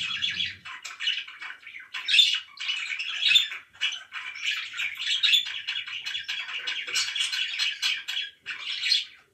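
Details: Pet budgies chirping and warbling in rapid, scratchy phrases with brief gaps between them, after a low rumble at the very start.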